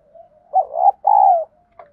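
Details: Spotted dove decoy cooing in the field-voice style (giọng thổ đồng), used to prompt newly caught birds to coo. A faint low coo comes first, then a loud, throaty two-part phrase: a rolling, wavering note and a longer, smooth, slightly falling one.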